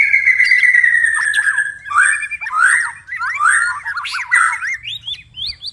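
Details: White-rumped shama singing after dark: a long, slightly falling whistled note, followed by separate short phrases of slurred, rising whistles and sharp squeaky notes with brief pauses between.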